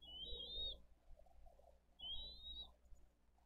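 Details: Two long, slightly rising whistled notes about two seconds apart, heard from a Dade County bald eagle nest during a fish feeding of eaglets on 22 April 2023, with soft wind and background rustle.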